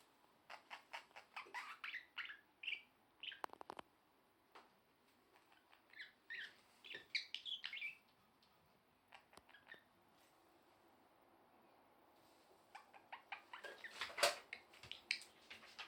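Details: A budgerigar sings with its head turned backwards, warbling in quick bursts of chirps, clicks and squeaky twitters.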